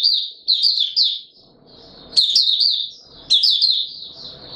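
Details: High, fast white-eye song recorded in warm humid weather, 20 March 2022: three tight chirping bursts, a pause, then two longer twittering phrases, each opening with a sharp click, over light low rumble.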